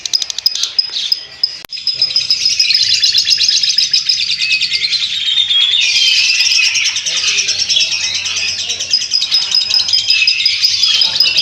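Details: Lovebird in long ngekek style: after a short broken start and a sharp click, an unbroken shrill chattering trill of fast repeated notes runs on for about ten seconds, briefly shifting higher midway.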